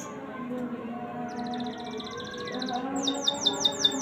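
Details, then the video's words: Canary singing faintly: a short buzzy trill, then five looping, downward-sweeping whistled notes in quick succession, heard over a constant low hum. "KENARI GACOR ‼️ KENARI BISU JADI IKUTAN BUNYI MENDENGARNYA"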